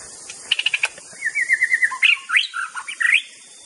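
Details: White-rumped shama master song meant to provoke rivals: a quick burst of sharp chips, then a run of repeated whistled notes and rising, slurred phrases. A steady high insect hiss runs underneath.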